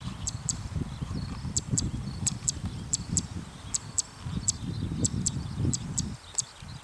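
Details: Zitting cisticola ground calls, given in the evening by a bird that flew into a farm field in front of the walker. Sharp, very high clicks come mostly in quick pairs, repeating steadily about every half second, over a low rumbling background.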